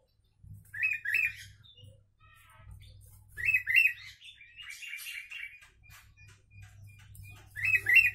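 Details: Bulbul song mixed with Javan myna imitations, intended to tutor mynas and bulbuls: paired, bright, rolling whistled phrases recur about every two to three seconds, with a brief chattering run between and a steady low hum.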